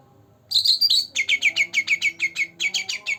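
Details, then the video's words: Young green leafbird, two months old, in energetic song meant to draw out quiet birds: a brief whistled phrase, then a long, fast series of about fourteen falling chirps, evenly spaced, against a faint hum. "Cucak Ranting Gacor Dor Dor pancingan untuk burung yangg jarang bunyi"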